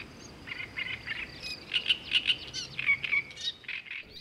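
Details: Bearded reedlings pairing up in old reeds in early May in Bulgaria give a rapid series of short, high, metallic pinging notes, several each second, over a faint background hiss.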